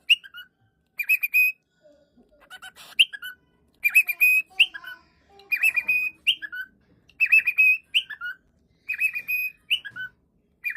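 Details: Cockatiel (Nymphicus hollandicus), calls.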